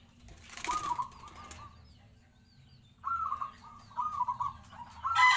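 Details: A brief burst of wing flapping, then a local zebra dove in full song gives soft, rippling coo phrases. The stuttering notes come in quick groups after a short silence.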